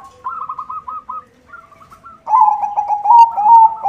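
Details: White zebra dove singing with good rhythm to lure other zebra doves: quick stuttered coo trills, a short pause, then a loud, rich rolling phrase of pulsing notes.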